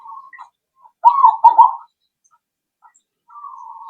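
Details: Zebra dove cooing as a lure to make other doves answer: a soft, low trill, then a louder pair of rolling, bubbling coos, and another drawn-out low note beginning near the end.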